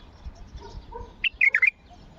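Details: Bulbul singing a strong song intended to get other bulbuls singing. After faint low background sounds, one quick, bright phrase of four or five fluty whistled notes.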